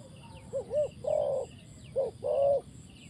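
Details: Spotted dove calling during decoy dove trapping: soft low coos, two short rounded notes followed by a longer held coo, the pattern given twice within three seconds, with a thin high insect hum in the background.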